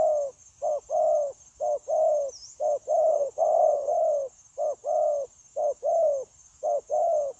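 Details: Spotted dove used as a decoy in trapping, recorded 9 January 2024, cooing without pause: rapid series of low paired hoots, short then long and slightly falling, about once a second, over a constant high hiss.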